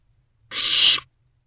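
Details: A wild barn owl chick in its nest box gives a single rasping, breathy hiss near half a second long, begging its parents for food at 1:15 am in late May 2023.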